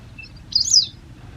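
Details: A short high chirp from an injured wild White Wagtail with a leg injury, watched over during its recovery in Japan; a single brief bright note lasting about a quarter second over quiet low background rumble.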